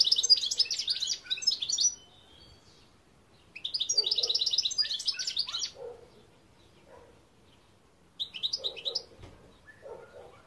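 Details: Goldfinch song in three lively bursts of fast, high-pitched twittering and liquid trills, each lasting about one to two seconds, separated by short pauses with softer notes.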